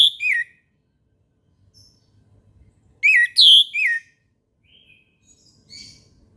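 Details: Morning song of an orange-headed thrush: a short sweeping phrase, then a quiet stretch with soft distant chirps, then a loud cluster of three rich, slurred notes, followed by faint high twitters.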